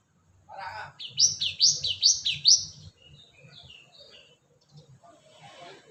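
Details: Cinereous tit (gelatik batu) lure call: a burst of five or six quick, high, upward-sweeping whistles in about two seconds. A few softer scattered chips follow over a low background hum.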